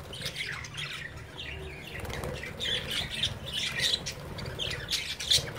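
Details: Young budgerigars playing inside a cage with their parents looking on; continuous overlapping twittering and rasping squawks, growing busier and louder toward the end, over a low background rumble.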